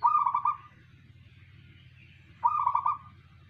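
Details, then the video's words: Two quavering, trilled coo phrases from a local zebra dove singing 'manggung', spaced about two and a half seconds apart against a soft low hum. "perkutut manggung tiada tanding"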